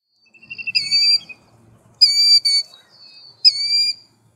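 A Killdeer gives three shrill, high, slightly falling cries about every one and a half seconds, each ringing and clear; a faint low rumble lies beneath.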